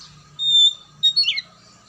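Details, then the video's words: Oriental magpie-robin sound for stimulating a silent bird to sing: one long thin whistle, then a short burst of harsher scratchy notes, over a faint hum. "PANCINGAN KACER MACET & MALES BUNYI AGAR JADI KACER RAJIN GACOR NGOBRA"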